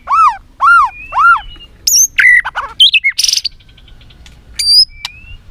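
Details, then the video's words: White-rumped shama in Vietnam, caged, giving fighting song: three arching downslurred whistles, then varied squeaky notes, a harsh noisy rasp and a final thin rising whistle. "Luyện giọng chòe Lửa hót đấu"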